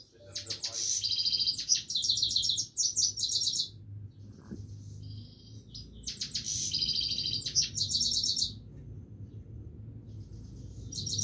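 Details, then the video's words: Himalayan goldfinch singing continuously: two long bursts of fast, high, tinkling twitters and buzzy trills separated by quieter thin notes, over a low background hum. "himaleyan goldfinch singing continuesly"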